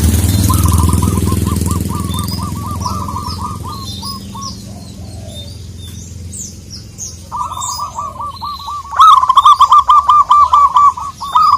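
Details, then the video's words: Local Indonesian zebra dove calling a rival: two phrases of fast, rhythmic cooing notes, the second louder and crisper, with chirping birds and a brief noisy rush at the start. "Perkutut lokal gacor memanggil lawan, burung kutut manapun langsung NGAMUK"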